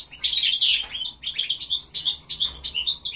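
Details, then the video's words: Goldfinch × linnet hybrid giving a quick twittering song phrase: a dense burst of chirps, then a string of short, clipped high notes repeated rapidly. "carduelis carduelis x carduelis cannabina"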